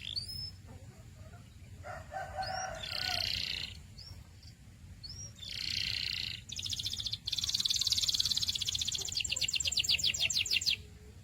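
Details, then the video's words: Canary chirping: varied phrases of buzzy bursts and short upslurred whistles, separated by brief gaps, ending in a long, rapid, evenly pulsed trill. "Sweet Canary Chirping Sounds"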